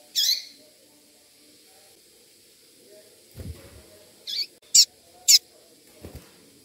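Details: A female double-collared seedeater calling to stimulate a male gives four thin, high chips, one early and then three in quick succession, with a couple of soft low thumps between them.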